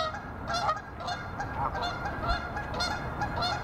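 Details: Male green-winged teal (Anas carolinensis) at North Pond Nature Sanctuary, Chicago, Illinois, March 2021, giving short, nasal, reedy notes roughly every half second over a steady low background rumble.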